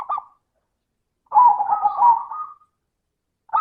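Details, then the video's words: Zebra dove lure song with a crystal tone: a short coo fragment, then a drawn-out wavering trilled phrase of about one second, and another phrase beginning at the end. "Pancingan suara burung perkutut - suara kristal"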